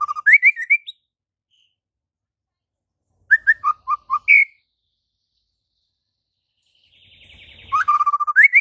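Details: White-rumped shama, a lively singing bird with full varied phrases, recorded as a model song for training reluctant shamas: clear whistled notes rising from low to high, bursts of short repeated slurs, pauses between phrases, a final run of rapid rising notes.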